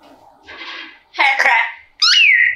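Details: A talking parrot says a short, raspy, speech-like phrase ("hit of crack"), then gives a bright whistled note that sweeps up and slides back down.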